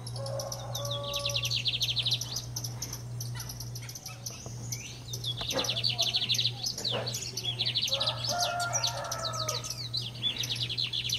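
A lined seedeater sings fast, high, buzzy trills in jumbled bursts, mixed with a few lower whistled notes, over a steady low electrical hum.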